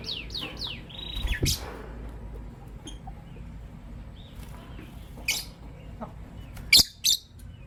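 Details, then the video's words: Morning chirping from lovebirds, a green Personata and a pastel white: three fast descending chirps open, then sharp scattered squeaky bursts separated by quiet gaps, with low room hum underneath. "Relaxing Lovebird Chirping Sounds from Green Personata & Pastel White"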